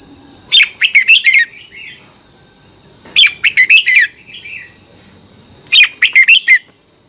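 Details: Red-whiskered bulbul singing a doubled-style phrase meant for caged birds to learn by ear. Three bright, chattering bursts of about five notes, each followed by a softer trailing warble, come roughly every two and a half seconds. A constant high whine runs behind.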